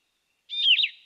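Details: Yellow-throated vireo (Vireo flavifrons) song: a single burry, slurred phrase, dipping then rising, about half a second long. It is likened to the red-eyed vireo's "here I am, where are you" but slower in cadence.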